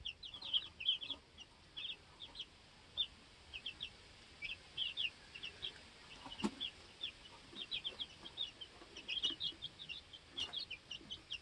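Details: Two-week-old baby chicks in a homestead coop, learning to fly, hopping and settling pecking order; a steady stream of high, short peeps, many overlapping, with occasional scratching and clicks.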